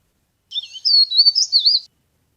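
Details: Leaf warbler whose call is played as a trapping lure. A single phrase of about one and a half seconds: sweet, high slurred whistles that rise and fall, with no other sounds.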